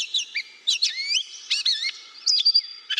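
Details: Gray Catbird, a bird of brushy areas and woodland edges, sings a rambling run of varied squeaky, whistled and scratchy notes that jump up and down in pitch, with each phrase different and none repeated.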